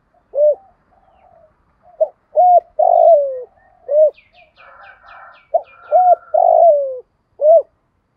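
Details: Spotted dove giving 'thổ đồng' style urging, cooing and calling phrases meant to stimulate and train decoy birds; deep rounded coos in quick groups, while faint high chirps from another bird sound briefly midway.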